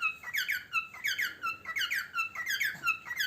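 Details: Close, loud song from a pet parrot during a meal: rich, harmonic whistles bending downward, tightly repeated in a bouncy rhythm without a break.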